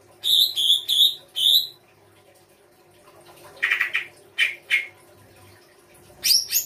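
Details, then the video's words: Songbird song labelled full isian rai gosong kancer: four loud sharp whistled notes at even spacing, a pause, then lower harsh chattering notes and a final pair of high sharp whistles, over a steady low hum. "FULL ISIAN RAI GOSONG K9NCER"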